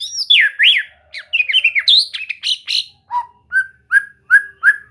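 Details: Murai batu, the white-rumped shama, in a relaxed singing-training session: fast looping whistles and chattery varied phrases open the clip, then give way to evenly spaced, short, level whistled notes.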